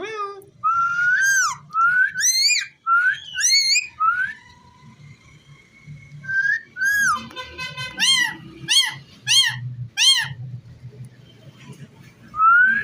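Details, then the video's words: A ringneck parrot talking: a string of squeaky, slurred harmonic syllables that rise and fall, then a burst of fast, bright notes near the end, over a soft low background hum. "Talking parrot so cute"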